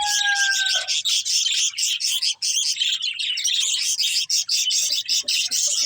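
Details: Budgerigars feeding on green food chirp continuously in fast, high warbles, opening with a couple of clear, even whistled notes.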